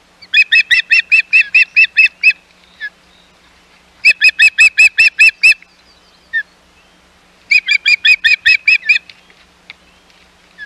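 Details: Hog Island osprey nest, 11 May 2021, intruding ospreys present: three bursts of fast whistled chirping, each burst about eight to ten notes, separated by pauses of a second or two.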